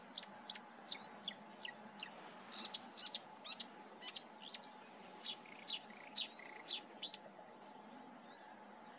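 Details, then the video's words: Marsh warbler singing at a bird observatory in 2023: a fast, scratchy run of sharp chirps and clicks rising toward the end, with brief buzzy trills and a rapid chattering series near the finish over a steady low hum. "MYRSANGER ( ACROCEPHALUS PALUSTRIS)"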